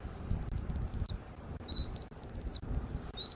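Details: Nest-camera recording of a bald eagle in Southwest Florida on 13 January 2024, early afternoon. High, piercing whistles, each level and then slurred down at the end, come about every one and a half seconds above a low background hum.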